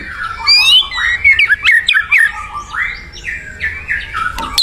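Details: White-rumped shama singing vigorously in the wild: a fast run of rich whistled phrases, rising slurs and sharp upward sweeps, with brief chattering notes between bursts and a harsh squawk near the end.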